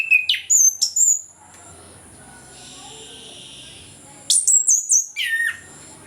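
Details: Orange-headed thrush in full morning song, used as a lure to coax reluctant thrushes into singing: two bursts of sharp, high whistled phrases with rising and falling slurs, split by a quiet pause of about three seconds.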